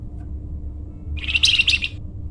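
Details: Flamboyan bird in energetic song, used as a lure or training sound: after a quiet start, a single high, fast trill of tightly packed squeaky notes lasting under a second, with a faint constant hum.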